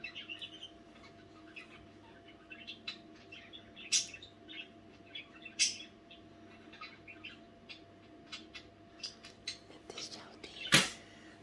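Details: Budgerigars chattering at night with scattered raspy chirps and soft twittering, sharp accented notes every few seconds, and a loud knock near the end over a low hum.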